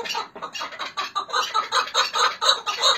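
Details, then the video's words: Chukar partridges from Hakkari and Dersim, Turkey, giving a quick, even series of throaty chuck notes, roughly two and a half per second, rising slightly in loudness. "Hakkari Dersim Keklikleri Muhteşem Ses"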